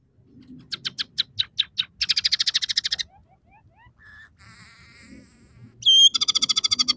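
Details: Scaly-breasted munia in full song, one of three variations with house sparrow, red siskin and canary fill-ins: fast ticking trills, soft rising slurs, a buzzy warble, then a sharp whistle and another rapid trill.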